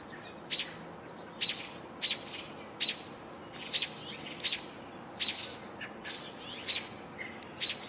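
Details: Young house finch, one of sibling fledglings, gives sharp, bright chirps, about one every half second to second, uneven in spacing, over a soft outdoor hush on a sunny 28 June 2018.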